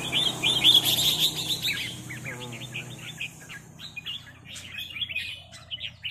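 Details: Red-whiskered bulbuls trading 'rik' calls in a heated exchange as a resident territorial bird confronts a newcomer: a fast burst of bright, chirpy notes, then looser scattered chirps, over a low steady hum.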